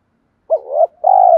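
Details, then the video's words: Spotted dove used as a decoy to attract wild doves. A brief hooked coo and a swelling middle note lead into a long, steady, mellow coo. "chim cu gáy mồi thúc dút dùng tập bổi và mồi hàng ngày"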